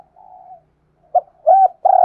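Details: Decoy spotted dove: a faint, low drawn-out coo, a pause, then a short note, a firmer arched coo and a steady sustained coo that is cut off abruptly, part of its daily urging and calling.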